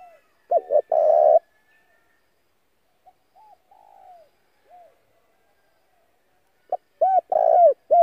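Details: A spotted dove acting as a decoy to attract wild doves. A loud coo phrase with a long hoarse note, then softer, distant answering coos, then a second loud phrase of several arched notes.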